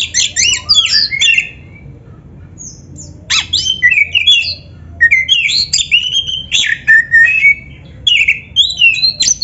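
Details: Oriental magpie-robin in full rich song for teaching other magpie-robins, including beginners and birds slow to sing: loud quick phrases of sweeping whistles and chatter, a short pause, then repeated bright bursts.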